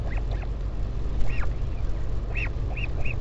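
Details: Northern royal albatross colony at Taiaroa Head, Dunedin, New Zealand, during a parent's visit to its chick on 16 July; short arched squeals scattered through the clip, a few quick clipped notes at the end, under heavy wind rumble.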